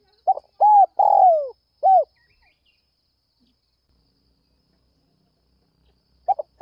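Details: Spotted dove in early morning calling to lure others: one hollow phrase of stutter, arched coo, long down-sliding coo and closing coo, followed by about four seconds of silence before the next stutter starts.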